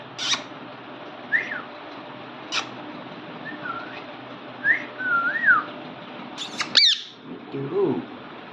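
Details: Small pet parrot during training: a sequence of short whistled slurs, rising and falling, spaced every second or so, with a few clicks and taps, and one lower wavering note at the end.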